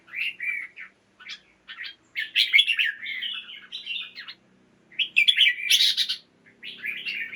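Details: Red-whiskered bulbul kept in a cage sings to stir up birds at dawn: repeated bouncy phrases of clear chirps and warbled whistles in several bursts, separated by brief pauses, with faint low background noise.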